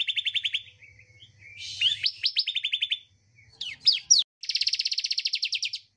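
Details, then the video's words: Bar-winged prinia singing fast, high, rattling trills of evenly repeated notes, broken by a buzzy burst and sharp upslurred chips, over a faint low hum. The recording is used to coax quiet birds into singing. "Terapi / Pancingan Ciblek Malas Bunyi"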